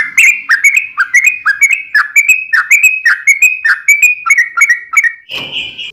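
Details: Sooty-headed bulbul singing energetically, a steady string of short bubbly whistled phrases, each rising then dropping, repeated about twice a second, ending in a brief harsh noisy note.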